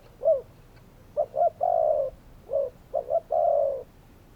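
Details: Spotted doves give two cooing phrases, each a brief note, then two quick notes and a long, steady hoarse coo, repeated after a short pause.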